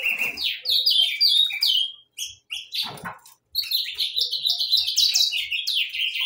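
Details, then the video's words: Saffron finches chattering in rapid song, strings of short downslurred chirps at a fast pace, a brief pause, then another energetic run of overlapping notes. "gorriones pecho amarillo cantando"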